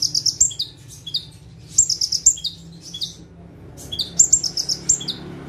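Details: Prenjak tebu, the bar-winged prinia, singing full tembakan while sitting calmly in one spot: three volleys of shrill, rapid chirps, each ending in lower dropping notes, with quiet gaps between.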